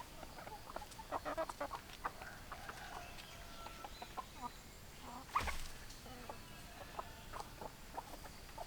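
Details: Chickens clucking in quick, irregular clusters, with one loud broadband knock midway and soft scattered clucks afterward over a constant low rumble.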